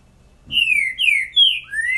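A Rufous-bellied thrush sings clear, falling whistled notes, four quick slurred phrases in two seconds, loud against a quiet background.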